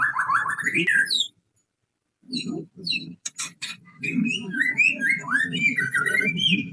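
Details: Pastol white-rumped shama song used to lure and stir birds into singing: bursts of fluty, rising whistles, a pause, a few sharp clicks, then a long run of varied warbled phrases.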